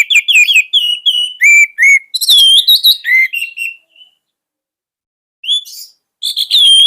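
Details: Captive orange-headed thrush (anis merah) used as a master bird: a stream of bright whistled and slurred notes for about four seconds, a long silence, then a few more high whistles.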